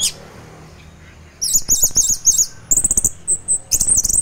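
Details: Orange-headed thrush singing teler style, a morning song meant to stimulate other thrushes; after a quiet start comes a rapid run of very high, thin chattering notes, then sharp clicks and a few high whistled slurs.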